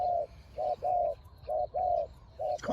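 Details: Spotted dove used in decoy luring, both birds described as fierce; clear mid-pitched hooting coos in short and drawn-out notes, paired as short-long units with quiet gaps, and a faint scuffing at the end.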